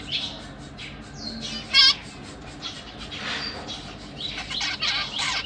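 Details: Captive zebra finches: parents feeding young, three juvenile and three newly hatched babies exploring a big cage; one sharp, loud nasal call stands out amid many overlapping thin, high chirps and squeaks.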